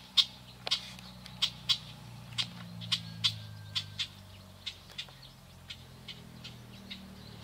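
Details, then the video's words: Young swallows by a lake give sharp, bright chirps, each short and clear, repeated roughly every half second over a steady low rumble. "Молодые ласточки /пение птиц"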